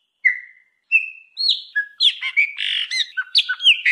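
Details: Chopi blackbird song, Canto Mateiro Mineiro style: two drawn-out pure whistles with short pauses, then a dense, fast tumble of chattering, buzzy and whistled notes.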